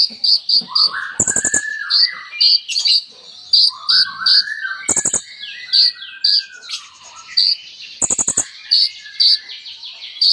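A sunbird sings a lively, high song of rapid thin chips, sweeping slurred whistles and trills, broken by a few sharp buzzy bursts.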